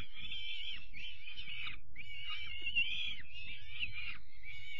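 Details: Peregrine falcon chicks at their evening feed, 5 May 2021: a run of about five harsh, nasal wails, each roughly a second long with a short drop at the end, against low bumping noises.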